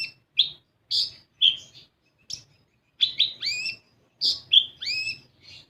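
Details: Sunbird known as kolibri ninja, played so untrained birds begin to sing: scattered high chirps in small clusters, some notes sliding sharply upward into thin whistles, separated by silent gaps.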